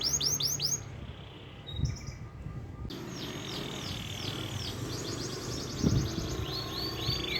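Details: Canary singing its natural song without added tutor phrases: repeated high downward-swept whistles, then rapid trills and rolling phrases, over steady background hiss and low hum.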